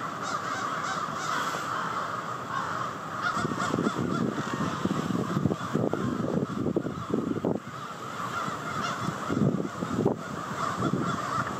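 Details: Crows by the hundreds descending at night on Victoria Park, Charlottetown, Prince Edward Island, to roost; steady overlapping raucous cawing from the whole flock, with intermittent low rumbling bursts underneath.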